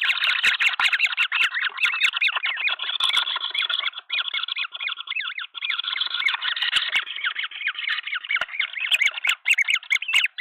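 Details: Green wood hoopoes at a nest with three chicks tended by the whole flock, Pretoria, South Africa, 23 February 2024, give a dense, harsh, nonstop chattering of overlapping squeaky calls with a few sharp clicks on top.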